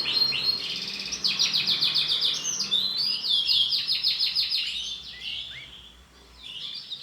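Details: Bright green female canary, kept as a pet, giving a rapid, high-pitched run of chattering, trilled chirps in quick repeated bursts for about five seconds, then softening and ending with a few short, thin notes.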